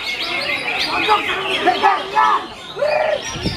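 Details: Greater green leafbird, entrant no. 48 at a bird-singing competition, sings a rich, varied run of chirps and looping upslurred whistles amid other birds' chatter, murmuring voices and applause.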